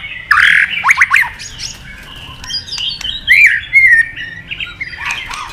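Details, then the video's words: White-rumped shama in competition singing with a long wild-style song, tail flicking: bursts of varied whistles, sharp downslurred notes and rich warbled phrases with brief pauses. "chòe lửa đập đuôi nhấp cầu hót đấu giọng rừng dài"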